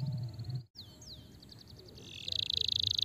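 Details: Canary song meant to stimulate a sluggish canary: brief low voice and music, a short gap, then high falling whistled sweeps and repeated notes building into a fast, loud, even trill.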